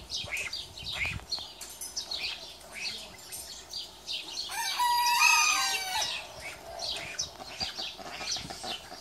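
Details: Japanese Bantam rooster, a small, friendly breed, gives one crow of about a second and a half midway through, a strained harmonic cry set against steady chirping of small birds throughout.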